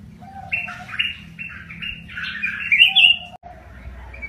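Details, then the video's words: Red-whiskered bulbul, a kept cage bird, singing a short phrase of warbled, fluty notes that rise into a bright chattering flourish, with a faint lower whistle before and after and a low hum underneath. "นกกรงหัวถ่าน!!รวมคลิปนก ปรอดเหลืองหัวจุก"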